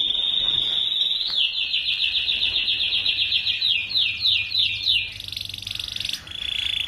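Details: Canary song recorded for tutoring young canaries kept in groups: a pure sustained whistle, then rapid rhythmic chopped trill notes, a buzzy trill and a closing clear tone.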